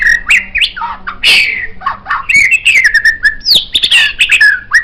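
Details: White-rumped shama in full song, suited to teaching songbirds: loud, fluty whistles that slide up and down, run together with abrupt clicks and rapid changes of note.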